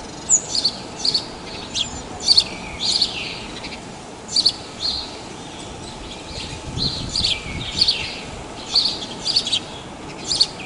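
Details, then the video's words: House sparrows calling at Praia de Pipa, Rio Grande do Norte, Brazil: short sharp chirps roughly every half to one second over a steady rushing background. "SOM DO PARDAL, CANTO DE PARDAIS"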